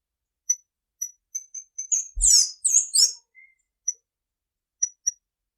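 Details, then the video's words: A tanager utters thin, high, scattered single notes, then a short burst of loud, buzzy, downward-slurred notes, then more spaced thin notes. "SONIDO DE LAS TANGARAS"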